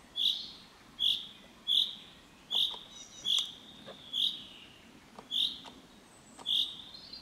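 A common chaffinch gives eight short, bright 'pink' notes, one roughly every second at a slightly uneven pace, with faint clicks behind.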